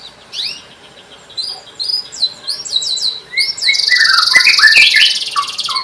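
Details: Canary song played to stimulate silent canaries into singing: varied whistled and trilled phrases, sweeping notes building into a dense, fast buzzy trill near the end.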